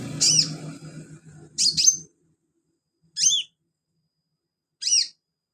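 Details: Sunbird kept as a filler songbird for training other birds, giving sharp high chirps that bend down and back up, four notes spaced about one and a half seconds apart, with faint low rumble at the start.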